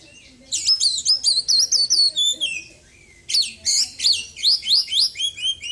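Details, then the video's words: Caged white-breasted Oriental magpie-robin after moulting, in daily care, singing a full song filled with copied phrases of small birds: rapid bright whistled notes sliding up and down in two bursts, about four notes per second, with a short pause between. "KACER GACOR ISIAN BURUNG KECIL PEDES"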